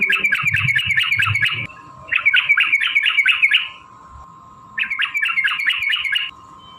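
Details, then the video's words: Yellow-vented bulbul delivering its fighting song to draw other bulbuls into singing: three separate bursts of fast, chattering bubbly notes, each one to one and a half seconds long, with a steady hum between them. "trucukan gacor TARUNG ROPEL PANJANG pancingan trucukan agar bunyi"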